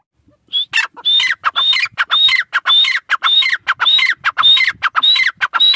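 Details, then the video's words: Two francolins, named irani teetar, produce a loud, rasping, rhythmic call series. A short whistle leads each phrase, followed by harsh falling notes, repeated roughly twice a second in a quiet setting. "Teetar pair ki awaz | irani teetar ki awaz"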